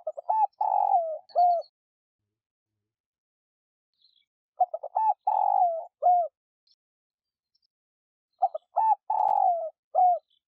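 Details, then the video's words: Spotted dove calling as a lure to rouse captive doves: each phrase opens with rapid choppy notes, swells into a long buzzy coo that drops in pitch, then ends with a short coo. Three phrases, spaced roughly four seconds apart. "Cu gáy kích bổi nhanh nổi / cu gáy gọi / tiếng cu gáy mồi"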